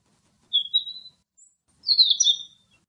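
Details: A thrush in Greek nature, recorded where the footage was filmed, gives two high, thin, slightly warbled phrases about a second apart, each lasting over half a second, against a quiet background.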